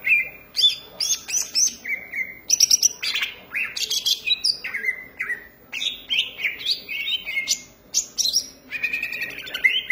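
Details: Energetic, nonstop song from a greater green leafbird (cucak ijo): bright whistled notes and chattering phrases jump between high and lower pitches in quick succession, with short downslurs repeated every second or so.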